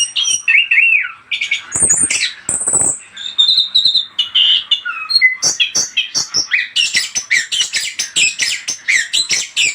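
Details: Orange-headed thrush (anis kembang) singing, used as a lure sound: warbled low whistles at first, then sharp high notes and a fast run of clipped, chattering phrases repeated without pause.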